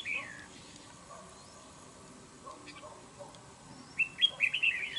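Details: Wild-caught red-whiskered bulbul kept for trap fighting and prized for its voice. One slurred whistle comes at the start, then a long quiet stretch, then a lively burst of jumbled whistled notes.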